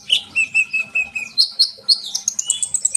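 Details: Sunbird (local name kolibri), used to prompt other birds to sing: a string of short, clear whistled notes repeated about every quarter second, then rising into a fast, very high-pitched twittering run.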